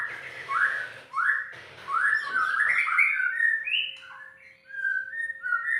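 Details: Caged white-rumped shama in unedited song: rising whistled notes repeated about once a second, then a rich run of fluttering, varied phrases and sustained whistles; low room murmur early on and a steady faint hum.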